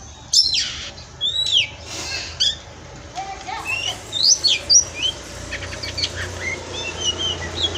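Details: Captive Oriental magpie-robin (kacer) in Indonesia: scattered short whistled upslurs and downslurs with a few sharp clicks, quieter and more spaced than full song, against a low hum and background hiss.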